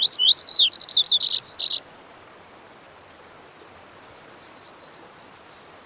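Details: Lazuli bunting (Passerina amoena) sings a fast, squeaky warble of about two seconds. Two isolated high chip notes follow in the otherwise quiet stretch afterwards.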